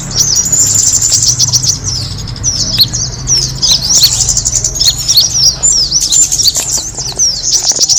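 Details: Chorus of kemade birds played to attract birds: rapid, irregular high chirps, about several per second, many sliding downward, overlapping continuously over a low hum.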